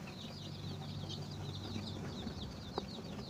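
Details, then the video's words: Chickens locating food for their chicks: a dense, unbroken stream of high, downward-sweeping peeps over a heavy low hum, with one short cluck near the end. "Chicken find a food for their baby"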